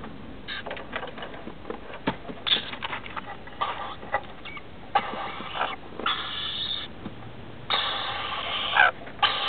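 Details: Rainbow lorikeets, a mated pair and their two young, settling down for the night in a roof space; busy chatter of scratchy squawks, clicks and longer harsh screeches, growing denser toward the end.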